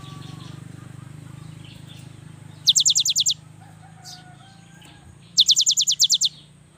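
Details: Cinereous tit, a young bird singing to set lazy companions singing. Two rapid, ringing phrases of eight or nine high falling notes over a steady low hum, with faint other bird notes.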